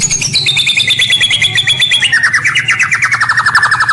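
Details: White-rumped shama lure song used to attract rivals: fast pulsed trill repeated about three times a second, starting high, stepping down in pitch midway and continuing as a steady rapid rattle.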